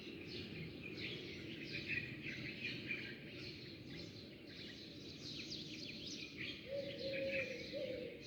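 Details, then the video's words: Sparrows twittering at dawn, a steady mass of quick, high chirps. A low cooing phrase enters briefly near the end. "زقزقة العصافير"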